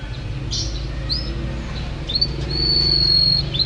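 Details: Champion canary: a couple of short upward chirps, then a long, pure, steady whistle held for over a second, ending in a quick rising flourish; low hum underneath.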